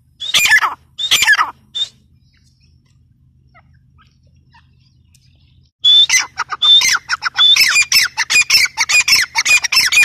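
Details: Grey francolin gives two harsh squawky bursts, falls silent for about four seconds, then launches into a long, fast, ringing sequence of strident repeated notes.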